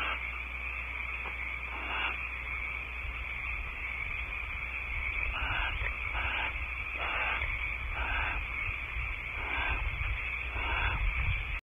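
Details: Barn owls at Audubon Starr Ranch, California, as the male brings a prey gift and mates long and steady. Harsh, hissing screech bursts repeat about every second over a steady raspy hiss, with a low rumble beneath.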